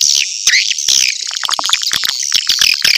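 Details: Swiftlet caller for a nesting house: busy, high-pitched chirps and short whistled notes tumbling over one another in a nonstop twitter.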